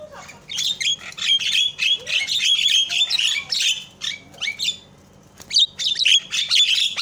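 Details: Javan myna chatter meant to provoke other mynas to call; rapid, rasping, scratchy notes run together, a brief pause, then a fresh burst of harsh calls.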